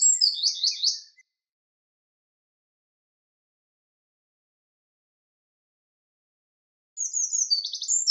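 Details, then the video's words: Two short fragments of high wren song with rapid trilled notes, separated by about six seconds of silence. "Sound of Birds: Wren / Winterkoninkje / Troglodytes troglodytes"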